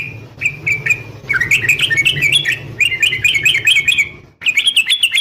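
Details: Female sooty-headed bulbul calling a male, 'nggaruda' fighting song: a few short whistles, then a fast run of bubbling, warbled notes that rise and dip, stopping briefly before another lively burst.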